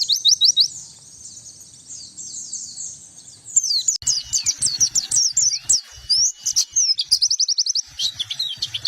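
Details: White-eye song meant to attract birds: clipped repeated chirps, then softer twitter, followed by a lively sequence of sharp whistled notes and quick trills, with low background noise.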